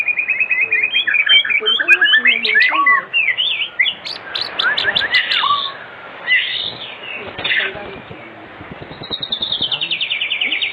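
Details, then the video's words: White-rumped shama lure for young birds, afternoon recording: busy warbled phrases of quick whistles and chips, a burst of sharp high notes, then a rapid rattling trill at the end. "Pancingan Sore Murai Batu Gacor di Jamin 100% RESPON buat pancingan murai batu pastol agar bunyi"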